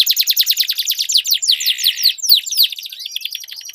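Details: Canary song duel: quick repeated down-slurred notes forming a rolling trill, followed by faster high chattering phrases.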